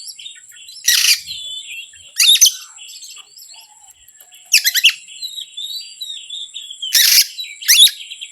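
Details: Oriental magpie-robin song, played as a lure to provoke hard-to-excite birds. Loud, harsh, buzzy bursts with sharp descending sweeps arrive about every second or two, separated by softer twittering, over a steady high-pitched hum.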